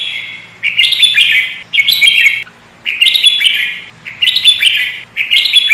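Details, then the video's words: Sooty-headed bulbul lure bird singing vigorously: five dense, chattering warbled phrases of about a second each, delivered at a steady pace with short pauses between. "Burung kutilang pikat gacor isian fulll"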